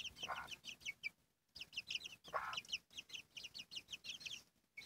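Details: Chicks peep in quick high repeated notes beside their mother hen, who gives two loud rasping clucks.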